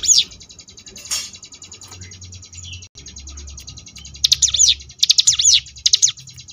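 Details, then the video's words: Sunda bush warbler with the ngebrem song variation for training contest birds: an opening whistle, a long fine buzzy rattle, then three bursts of high looping notes near the end. "cigun ngebrem variasi"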